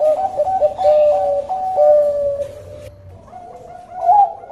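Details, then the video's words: Bangkok-type zebra dove as a lure song: rapid, slightly stepped mellow coos in a steady run, a brief pause, then softer coos ending in a louder rising note, over low room hum. "Pancingan Perkutut Bangkok"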